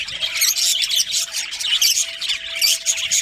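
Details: Budgerigars in a breeding colony producing bright, hurried chirps and chattering squawks that run together, with a thin steady hum in the background.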